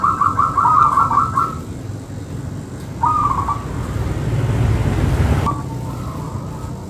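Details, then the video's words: Local zebra dove singing: a rapid beaded trill of cooing notes, then a shorter trilled phrase, before a rushing passing-vehicle noise swells and masks the later part. "Perkutut Lokal Manggung Rapet"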